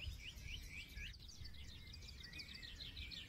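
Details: Forest songbirds: a run of bright rising whistled notes at the start, then layered fast high chirping from several birds. A low steady hum of background noise continues.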